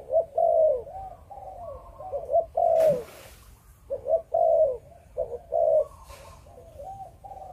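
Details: Spotted dove of Malaysian breeding stock cooing Chụp Chụp Ô fashion: repeated low phrases of clipped notes ending in drawn coos, with a sharp knock near the middle and a fainter dove calling in the gaps.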